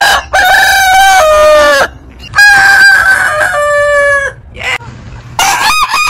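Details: Heritage-breed roosters crowing, with two long, multi-part crows that step down in pitch near their ends, a quieter cluck between, and another crow beginning as the recording ends.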